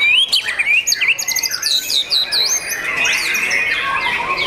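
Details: Kept young white-rumped shama: a burst of sharp, high chirps and quick stuttering notes, then a sustained ringing whistle with softer warbling over it.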